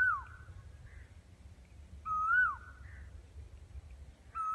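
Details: Asian koel singing, heard while walking on a railway track. Clear, loud whistled notes rise then fall sharply and repeat about every two seconds, with a softer answering note between them.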